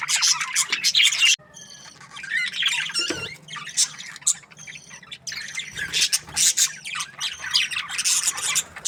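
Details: Aviary budgerigars kept as breeding pairs give a brief burst of high chatter, then thinner, spaced squeaky chirps, before a fresh wave of busy scratchy warbling.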